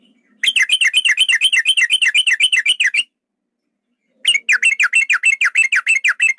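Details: Yellow-vented bulbul, a male, in a long trilling fight-provoking lure call meant to make bulbuls sing and turn aggressive: two bursts of rapid, rising-and-falling chirps, about two per second, broken by a silent gap.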